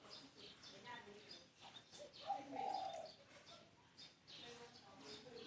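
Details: Single low cooing phrase from a spotted dove, a quick note and then a longer rough coo, set against constant high chirping and twittering from other birds.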